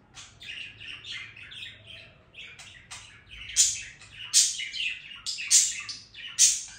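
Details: Budgerigar singing, soft burbling chatter that builds into a series of loud sharp squeaks repeated about every second toward the end, with faint room hum.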